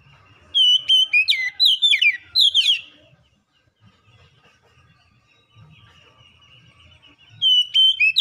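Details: Lure song from a kacer (Oriental magpie-robin), meant to trigger singing in quiet birds: a quick run of clicks and falling whistles for about two seconds, a long quiet gap, then a steady whistle resumes.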